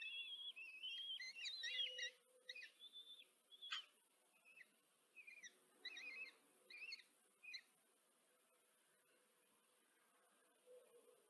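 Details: Four kestrel nestlings being fed by their mother in a Hungarian nest box at Tiszanagyfalu, July 2023, nest camera: a run of sharp, high chittering notes in quick clusters that thin out into scattered squeaks, then quiet.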